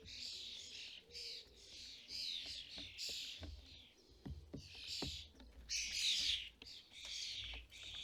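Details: UK garden feeder in fledgling season, with starling parents feeding fledglings; a busy run of rasping, wheezy screeches overlaps steadily over eight seconds, with scattered sharp taps from the feeder.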